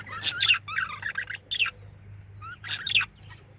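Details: Male budgerigar chirping and singing: short bursts of scratchy, rapidly modulated chirps and squeaky notes, with brief pauses between phrases and a faint low hum.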